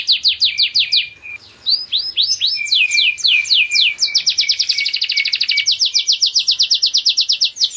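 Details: Spanish Giboso canary singing in a cage, with rapid sweeping notes that shift into a string of slower curved whistles and then a long, even, high-pitched rolling trill. No other sounds stand out.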